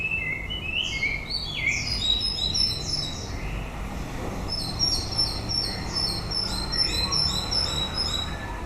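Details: White-rumped shama song late in the breeding season, rich varied whistles and sweeping slurred notes, followed by rapid repeated high chips, with a constant low rumble of background noise.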